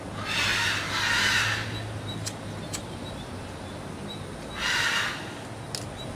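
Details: A neighbour's caged macaws, which squawk each morning and make a racket whenever anyone passes, give two long, harsh, raspy squawks about three seconds apart, with a few sharp clicks between them over a quiet background hiss.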